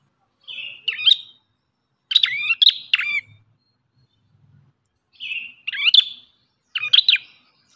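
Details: Ashy tailorbird, known locally as prenjak kepala merah, gives spaced short phrases: a soft buzzy note followed by sharp, emphatic chips, repeated in four separate bursts with silence between.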